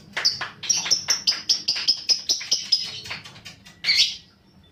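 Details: Lovebird lure recording meant to stimulate fighter lovebirds to call long, with a rapid train of sharp, evenly spaced high chirps, about four per second, ending in a louder squeaky burst.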